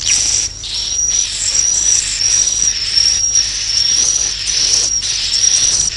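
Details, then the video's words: Swiftlets calling to roost: long, very high, thin whistled twitters, slightly wavering, in phrases separated by brief gaps roughly every second. "Suara Walet Inap"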